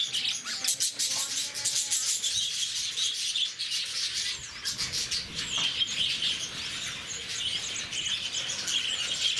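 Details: Lovebirds kept at Bannerghatta Zoo, Bangalore, give a constant stream of high-pitched, rapid squeaks and chirps from a noisy group, with brief human voices early on.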